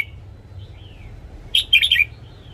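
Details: Morning song of a red-whiskered bulbul for training caged birds: faint sliding whistles, then one short burst of four or five lively, liquid chirps.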